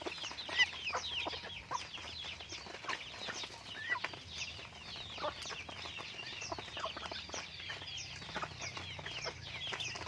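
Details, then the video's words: Pet chickens being raised, a flock calling at once: dense overlapping high arched peeps and short chirps, with scattered low clucks beneath and a steady background hiss. "pets chickens / raising chickens"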